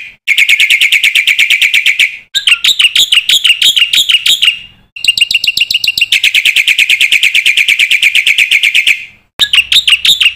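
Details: Master song of a black-winged myna for training young birds, packed with filler phrases: long stretches of very fast, even, high trilled notes broken by short bursts of sharper, warbling chirps.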